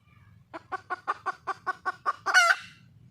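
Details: Red junglefowl hen in the wild calling for a mate: about ten evenly spaced clucks building in strength, capped by a loud, harsh, drawn-out squawk.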